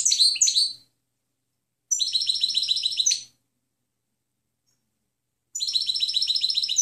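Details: Liquid, chattering song of a European goldfinch, recorded cleanly as a training aid for other birds: three rapid phrases of bright trilled and buzzy notes with short silences between them.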